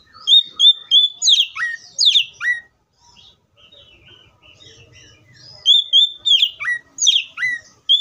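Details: Oriental magpie-robin singing: clear whistled notes near 3–4k with sharp downslurred slides to lower pitch, phrases repeated in bursts, a quiet gap midway before the whistles resume.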